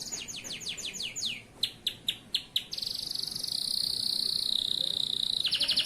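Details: Male local canary, kept as a model singer for training young birds, gives quick falling whistled notes, several sharp separated chips, then a long even high buzzing trill that shifts into a brighter rattle.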